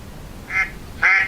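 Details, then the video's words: A mallard duck gives two loud, nasal quacks about half a second apart, the second harsher and louder, over faint background hiss. "It is a duck, but most specifically it's a mallard duck."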